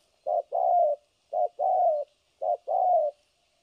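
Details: Three double coos from a spotted dove decoy used for bird trapping in Vietnam, each a brief low note then a longer rounded coo, evenly spaced, in a quiet setting.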